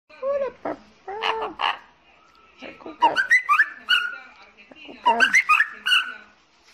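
An Amazon parrot gives a run of squawks and bright chirpy whistles in several bursts, rising and falling sharply, imitating electronic notification tones.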